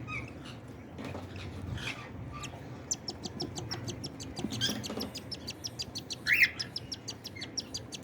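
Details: Cockatiel chicks being fed by their parents give a quick run of sharp, dry clicking pulses that starts about three seconds in, with a short bright chirp near the end over a low hum.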